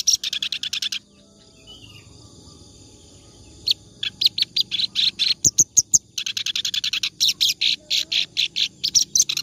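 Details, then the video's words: Kerak basi, or clamorous reed warbler, singing continuously for training other birds: a short chattering burst, a quiet gap of about two seconds, then renewed runs of harsh, rapidly repeated notes. "BURUNG KERAK BASI NGACOR"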